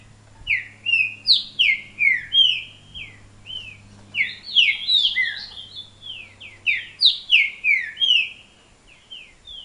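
Green-winged Saltator singing loud, clear whistled phrases of slurred, mostly falling notes, delivered in quick bursts over a low steady hum.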